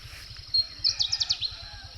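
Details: A Pale-footed Bush Warbler, one of two present, calls close while hiding in a bush on a rainy-season morning in northern Thailand's mountains: a single lead-in note, then an explosive burst of five or six thin high notes, over a low rhythmic hum.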